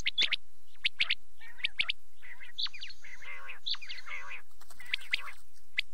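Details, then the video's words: Night calling of quail: sharp high chirps in pairs at the start, followed by buzzier, warbled phrases and hooked whistles, with brief silences between bursts. "rat k liye batair ki awaz | quail calling"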